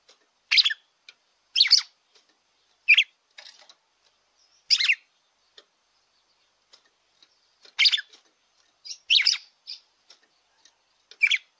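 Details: Red-cowled cardinal singing, used to excite a caged bird: a series of brief, sharp chirped phrases, some doubled, spaced irregularly about one to two seconds apart against a silent background.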